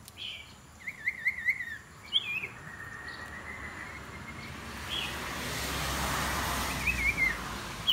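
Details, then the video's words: Iora, trained as a decoy bird, gives a short run of quick wavering chirps and a few slurred notes early on, followed by rising broadband background noise and a final flick of chirps. "นกขมิ้นน้อย ฝึกหัดหัยเปนนกต่อสายโหด สายดุ"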